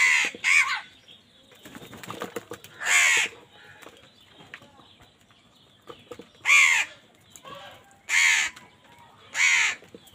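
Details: Crows in a food fight with wild birds; loud raucous caws come in separated bursts, a double call at the start and then single caws, over busy background noise.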